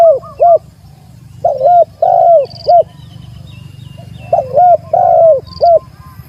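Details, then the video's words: Spotted dove in a rival challenge, giving two evenly spaced phrases of three to four cooing notes, the middle note longest, with occasional high chirps. "suara burung tekukur manggil lawan"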